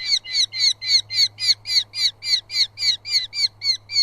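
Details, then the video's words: Eurasian hobby at a southern UK nest on a live camera: two chicks squabble over food as the father brings moths. About fourteen sharp, nasal, harmonic notes repeat steadily, roughly three a second, with a low steady hum beneath. "2 CHICKS VIDEO FOOD FIGHTS COMEDY )). DAD IN NEST W _ FOOD : MOTHS BIRD. SOUTHERN UK HOBBY LIVE"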